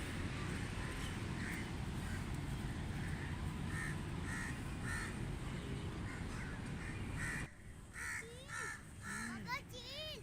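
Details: Crows cawing in a steady noisy background, harsh short caws repeated roughly twice a second for several seconds, followed by people's voices and other bird chirps near the end.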